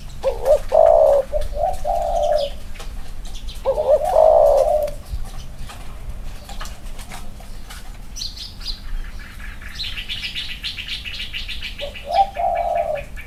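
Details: A pair of male spotted doves placed together for comparison, one with clipped wings. Two low coo phrases open the recording, then a pause with a brief flutter and rustling, and a final coo near the end.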